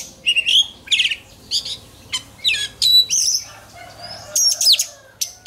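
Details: Oriental magpie-robin singing in contest-training style, giving separate phrases of chirps and whistled slurs, some sweeping down steeply, over a low steady hum.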